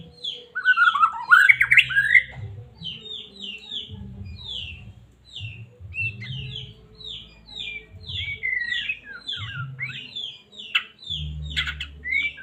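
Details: Medan white-rumped shama in a cage, its song meant to provoke other birds to sing: an opening rich warble, then many quick whistled notes and slurs at varied pitches, with a low background hum.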